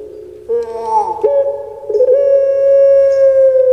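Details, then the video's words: Captive puter pelung collared dove kept by its owners in Indonesia: after a short wavering opening note, a single long, steady, mid-pitched hooting coo with rich harmonics is held for over two seconds without a break. "PUTER PELUNG DAPAT NEMU ini Suaranya SEBAGUS ini"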